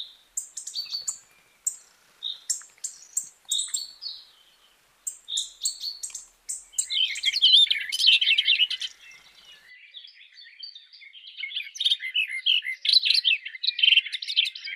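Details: Sparrow song in spring: bright, high chirps repeated in quick bursts, building into dense twittering chatter.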